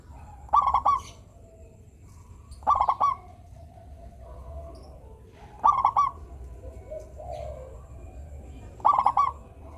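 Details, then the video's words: Local zebra dove, or perkutut, singing its melodious song to encourage reluctant doves: four loud clipped, stuttered coo bursts spaced roughly three seconds apart, separated by near-quiet gaps with faint soft coos. "perkutut lokal gacor suara merdu - bikin bunyi perkutut yang malas manggung"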